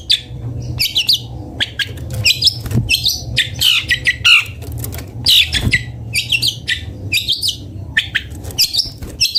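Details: Long-tailed shrike (cendet bondol) delivering a busy, varied song of scratchy chirps, harsh notes and quick whistles in irregular bursts, with faint low background noise.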